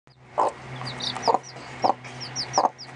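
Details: Hen with 2.5-day-old chicks inside a small coop, teaching them to eat and drink, gives an alert-like call showing she has found food: four low clucking bursts spaced about half a second apart, with high thin chick peeps between.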